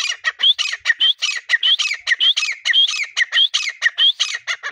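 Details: Grey partridge (teetar) calling in the breeding season: a dense, rapid series of harsh, squawking phrases, each with a short rising whistled note, repeated about one and a half times per second without pause.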